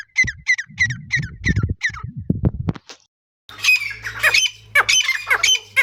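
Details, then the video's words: Partridge calling: six sharp, squawking notes with many overtones, repeated about every third of a second, then a short silence and a louder, harsher burst of calls over a low steady hum. "Teetar awaz|teetar voice|Teetar sounds"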